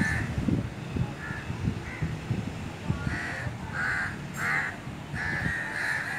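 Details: Crows exchanging calls: scattered harsh caws that grow into a run of louder, drawn-out calls toward the end, over rumbling wind-like noise.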